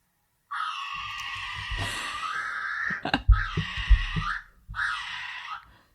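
A kiwi gives three shrill, strained wailing notes, each rising then falling and lasting about a second, over low room rumble and a few soft knocks.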